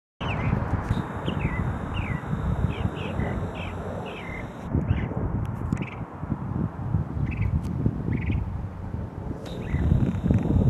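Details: On October 5, a Northern mockingbird repeats short, quick downslurred chirps in series, partly drowned by a heavy low rumble and a steady high whine.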